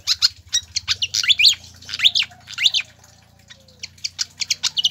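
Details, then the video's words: Pied fantail song meant to make caged birds sing readily: dense run of sharp high chirps with several loud rising, curving whistles, ending in quick repeated squeaky notes, a low hum underneath. "PANCINGAN DAN MASTERAN SIKATAN KIPAS AGAR CEPAT GACOR"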